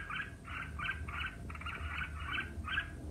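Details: Competitive singing by a red-whiskered bulbul: a string of eight short, even warbled chirps with low rumbling background noise.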